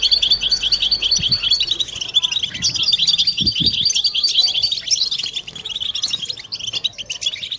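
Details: European goldfinch chorus used to encourage females and quiet birds to sing: a high, rapid trill of repeated notes flows continuously over busy twittering, with a few low taps midway.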